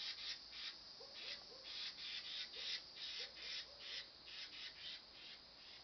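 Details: Carolina wren fussing: repeated grating, dry rasps in an uneven rhythm of two to three per second, with faint soft low notes from another bird underneath.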